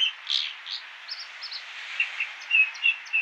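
American dipper giving quick, varied high chirps and trills, notes coming several per second over a steady rushing hiss like running water.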